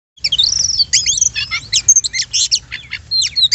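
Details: Oriental magpie-robin song used as a lure to provoke other birds to sing: rapid varied phrases of sharp whistles, chips and slurred notes, densely packed and high-pitched, with a low steady hum underneath.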